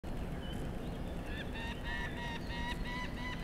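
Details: Peregrine falcon at its nest: after a stretch of low rumbling wind noise, a rapid series of short harsh harmonic notes begins, repeated roughly four times a second until the end.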